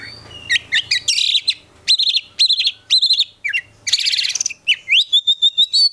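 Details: Oriental magpie-robin (kacer), a prospect bird in a collection, in full-isian gacor song meant to spark replies from other kacer; looping whistles, scratchy bursts and a final steady trill of rapid high notes.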